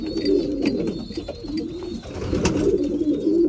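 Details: Pigeons kept for breeding coo busily at mealtime, deep rolling coos overlapping rapidly, with faint high squeaks and a sharp clack near the end.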